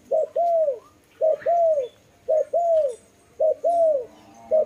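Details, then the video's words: A dove repeats its paired coo: a quick short note leading into a longer mellow coo that sags at the end, about once a second, the series beginning again at the close. "Lovely dove/ lovey sounds"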